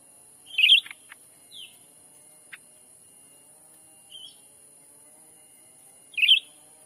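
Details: Black-capped bulbul lure call for drawing in wild birds, Sumatra forest: bright burry chirps about six seconds apart with fainter short notes and clicks between, over a constant high whine.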